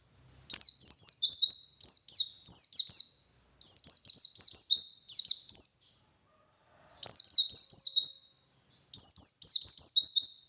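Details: High-pitched white-eye song in the wild ngalas style, played to provoke unsung captive birds: four long runs of quick, sliding chirps, each roughly two seconds, with gaps in between.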